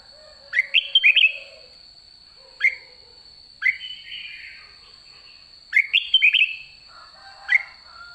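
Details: White-cheeked red-whiskered bulbul at the end of the season, singing in the 'ché' style: short whistled phrases, each a rising slur into warbled notes, given in bursts about every two seconds over a steady high background tone.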